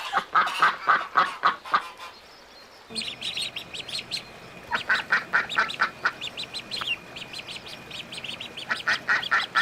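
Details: A run of nasal quacks, a brief lull, then little ducks' high peeps mingle with further quacking over a faint hum.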